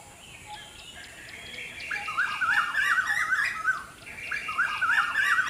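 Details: Baby birds being cared for by their mother, giving bright chirps that rise and fall in quick wavering notes, repeated in dense bursts with short pauses, over a soft hiss.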